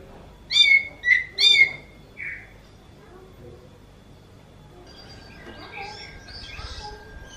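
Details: Oriental magpie-robin said to sound like a kitten: three loud, upslurred mewing whistles in quick succession and one softer note, followed by faint distant chirps.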